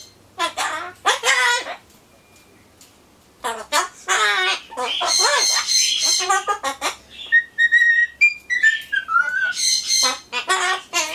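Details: Solomons corella talking to itself while waiting for pumpkin, mixing replies, mock singing and exclamations. Gravelly speech-like phrases alternate with clear wavering whistled notes in a long indoor chatter.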